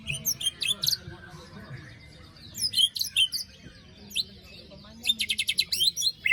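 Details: White-rumped shama song used to wake a bird that fell silent after moult: scattered bright whistles mixed with harsh rattling bursts, ending in a rapid buzzy stutter of notes.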